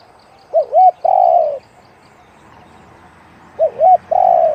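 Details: Spotted dove with a deep one-'kuk' voice repeats its phrase twice, about three seconds apart: two quick rising-falling hoots, then a long buzzy descending coo. Steady hiss in the background.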